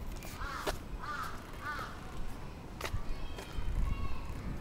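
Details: Crows attacking in Atsubetsu Ward, Sapporo, 27 June 2017: three hoarse caws in quick succession, then sharp knocks and rustling noise with low rumble.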